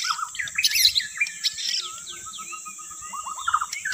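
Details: White-rumped shama singing as a lure: tumbling mix of high chirps and lower whistled notes, ending in a run of quick descending whistles, with a faint steady high hum behind.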